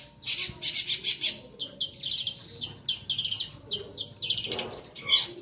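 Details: Juvenile bar-winged prinia practising its song, giving a fast run of loud, buzzy, high-pitched rasping bursts, closely repeated in uneven clusters throughout, with brief gaps between groups.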